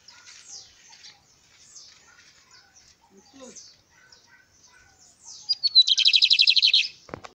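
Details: Bigodinho, the lined seedeater, singing on a person's hand: soft scattered high twitters for several seconds, then a loud, rapid high trill of evenly repeated notes near the end, with some background voices.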